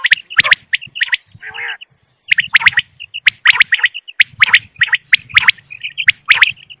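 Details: Wild common quail calls used for hunting, sharp cracking notes in doublets and triplets, interspersed with brief high whistled chirps, one lower rasping note near the start, pauses between bursts.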